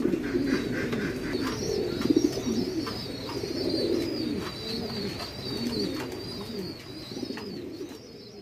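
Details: Fancy pigeons kept on a farm in Bangladesh give a dense chorus of low, burbling coos that overlap continuously, with a thin wavering high whistle running above them.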